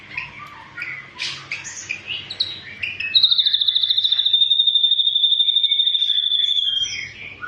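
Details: Ashy drongo in full tembakan song: a jumble of chattering and whistled notes, then a sustained, fast, buzzy, pulsed whistle on one high note for nearly four seconds, ending in scattered chirps.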